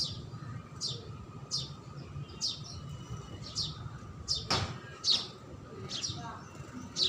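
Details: House sparrow giving short, high, downward chirps repeated roughly every second. A steady background hum and rumble run underneath, with one sharp click midway.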